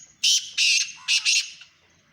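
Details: Black francolin in Sindh, Pakistan, giving a loud, harsh, grating call of four rasping notes in two quick pairs, over a quiet background.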